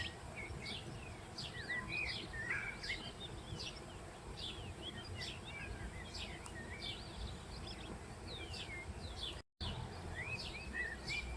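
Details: Colony of Western jackdaws settled in an ancient Roman quarry, many birds calling at once: a dense, overlapping stream of short chirping and slurred notes with steady background hiss and no pauses.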